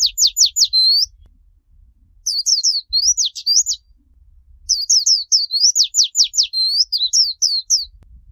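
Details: A young warbling white-eye sings high, rapid twittering phrases of quick sliding notes, in bursts about a second long with brief pauses, over a faint low hum; the recording is used to train young birds' song.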